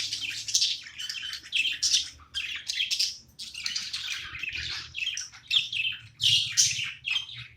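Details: Budgerigar chattering while playing, an unbroken stream of fast, buzzy, squeaky chirps of varying pitch and loudness.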